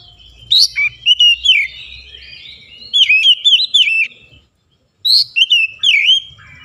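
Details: Oriental magpie-robin singing in morning sunlight: bright, varied whistled phrases with sliding notes and quick chirps, delivered in bursts separated by short pauses.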